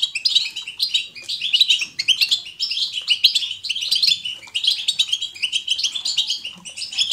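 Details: European goldfinch giving its natural batbata twitter, offered as positive encouragement for goldfinches to sing: busy high jingling notes, rapid tweets and tinkling trills running on without a break.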